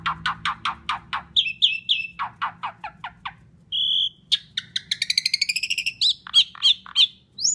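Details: Loud Asian pied starling song used as a lure to make other songbirds sing: rapid series of sharp descending notes, whistled phrases, a steady tone, then fast ringing trills and grating chatters.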